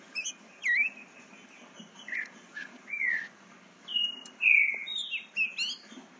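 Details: 8-month-old captive-bred Green-winged Saltator learning to sing and already showing speed: loose, halting runs of clear whistled slurs and short chirps, some rising, some falling, with gaps between phrases.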